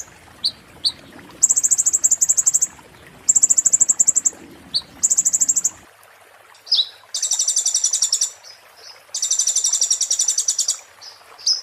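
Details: White-eye known locally as konin, singing 'muntah beling' for magpie-robin tutoring: sharp single chips between short glassy trills, later louder and fuller buzzing bursts, with faint background hiss.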